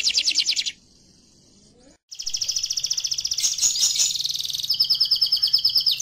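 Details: Canary song for teaching other canaries: a fast high trill, a faint softer tone and brief silence, then long, loud, dense rolling trills with changing texture.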